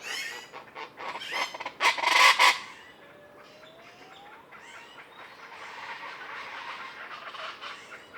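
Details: Common chachalaca calling in the morning from trees above a palapa in Sierra Madre jungle along Banderas Bay: loud, harsh, raucous bursts for about two and a half seconds, then a thin rising whistle from another bird over a soft chorus.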